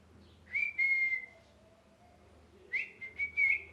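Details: Molting pet parrot indoors calling angrily: a sustained clear whistle, then after a pause a second bout of short whistled notes and chirps, with a low background hum.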